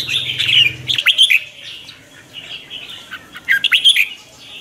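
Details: Red-whiskered bulbul trained for morning song as a lure bird: scattered liquid whistles and warbles in two loud bursts around a quieter middle stretch, with a brief low hum at the start.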